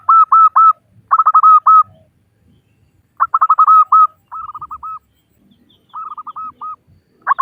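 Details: Local female zebra dove calling to males as a lure: several rapid groups of short, repeated notes, some loud and some softer and rounder, broken by brief gaps.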